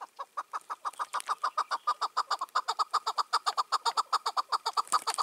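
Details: Dominant wild male chukar partridge, released two years earlier and ranging freely, calling in the evening, 4 June 2023: fast, steady series of clipped chuk notes, about two and a half per second, slightly louder toward the end.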